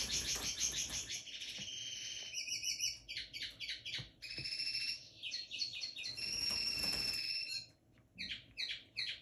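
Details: A young linnet hybrid from 2022, in his early days of singing and eating seed, sings a fast, high twittering song of rapid chirps, buzzy trills and a few long, thin whistled notes, broken by brief pauses over a faint low hum.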